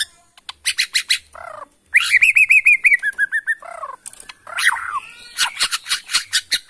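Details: White-rumped shama of Borneo stock from Kalimantan forest, singing to rile other shamas: loud varied phrases of sharp high whistles, a descending run of rapid bouncing notes, and harsh buzzy bursts between them.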